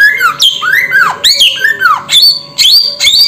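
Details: Samyong bird whistling loudly in arching notes that climb and then fall steeply, grouped in three phrases, the last ones higher and flatter, with a soft hum behind.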